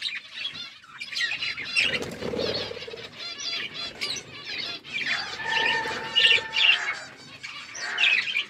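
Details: Budgerigars kept in a forest-environment aviary chatter busily, with rapid modulated high chirps layered over one another and louder bursts toward the end.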